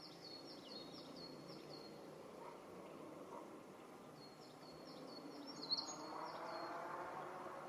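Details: Eurasian wren singing on 21 May 2017 in a dim spot, recorded on a Panasonic DC-FZ85 with simple wind-noise protection. Two bursts of rapid, very high, tinkling trills come at the start and near five seconds, against a soft rushing background.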